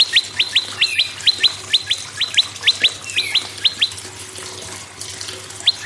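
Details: Prinia song played to prompt other birds to sing: quick pairs of sharp upswept whistled notes, repeated rapidly for about four seconds, then a pause and one more pair, with a faint low hum behind.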